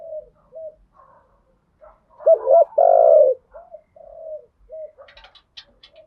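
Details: Spotted dove coos from a lure recording ('thúc gù', 'gáy gọi') for stimulating training doves. Soft scattered low hoots surround one loud phrase of a quick double note and a long mellow coo. Faint chirps appear near the end.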